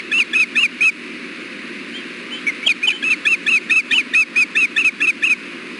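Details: Osprey male and female at the Hellgate nest during an afternoon fish delivery on 6.4.16, captured by nest camera. Four loud whistled chirps, a pause, then a longer steady series of sharp, repeated notes.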